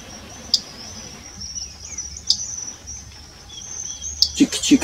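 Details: A Fork-tailed Flycatcher, a summer visitor at the Bom Jardim reserve in Uberlândia, Brazil, gives three sharp, dry 'tic' location calls about two seconds apart over a high insect hum, with a brief low voice at the end.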